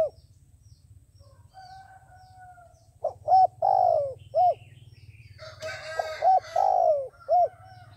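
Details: Decoy dove used by trappers to lure wild doves, cooing: a loose run of short hollow coos, some drawn out and falling, in two bursts, over a steady low hum.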